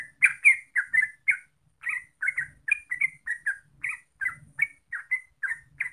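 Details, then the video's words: Yellow-vented bulbul, called trucuk, singing a continuous lure song to prompt other birds: lively chirps repeated rapidly, some paired or slurred, with soft low murmuring in the background. "Pancingan Trucuk Biar Gacor Ropel"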